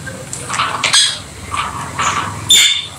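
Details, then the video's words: Pet rosy-faced lovebirds, also called peach-faced lovebirds, kept indoors and playing together; a series of short harsh chirps and squeaky notes, some shrill and high, coming in quick bursts about every half second. "Lovely Lovebird Noise Peach faced Lovebird and Rosy faced Lovebird"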